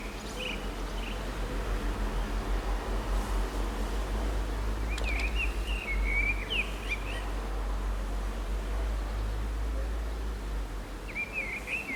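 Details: Common blackbird singing on an antenna in San Martín, Zamudio, Bizkaia, 23 April 2019; separated whistled, warbling phrases ending in squeaky notes, over continuous low rumbling background noise.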